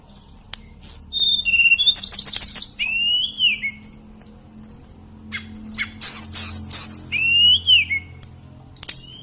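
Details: Sunda robin, the tledekan or mountain sulingan bird, singing continuously; a high whistle, a rapid buzzy trill, a long descending slur, then a series of repeated high arched notes.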